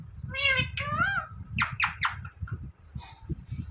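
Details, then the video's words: Talking Indian ringneck parrot repeating the word "Mithu": several nasal, harmonic, voice-like syllables, some rising and falling, then rapid harsh chattering notes, over low indoor background noise. "Talking Parrot Saying Mithu Mithu"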